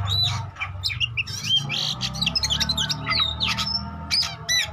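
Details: White-rumped shama singing to prompt rivals into song: mixed whistled notes, short slurs and chattering bits at moderate volume over a noticeable low hum, with a long clear whistle near the end.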